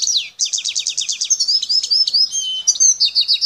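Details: A wild Algerian goldfinch from El Tarf sings a down-slurred note, then a rapid run of evenly spaced high chips, flowing into liquid twitters and a tinkling close.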